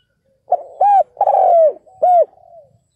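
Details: Ground decoy spotted dove calling to draw in wild males: one phrase of low, mellow hooting coos, a short coo, two rounded swelling notes and a longer falling note, then a soft trailing tail, on a quiet background.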